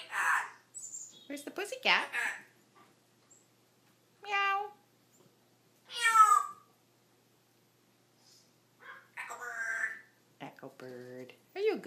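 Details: A 14-year-old pet African grey parrot mimics a cat and human talk: short wavering, meow-like harmonic calls and speech-like phrases, mixed with a person chatting to the bird between its sounds.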